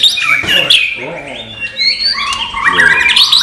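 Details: Murai batu, white-rumped shama, singing filler-style material without bubbling notes: a rich, varied run of loud whistles, slurred rising and falling phrases and quick chattering flourishes, nearly continuous.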